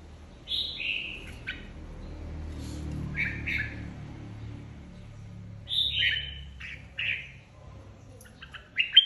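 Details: A flock-leader red-whiskered bulbul sings in a competition. It gives descending, slurred two- and three-note phrases in separate bursts, with gaps of a few seconds and a faint low rumble behind.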